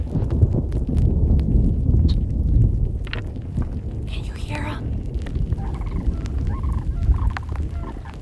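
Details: Four sandhill cranes flying in over Montana prairie, calling to each other: rolling, trilled bugling calls, several bursts in the second half, half-buried under steady rain and a low rumble.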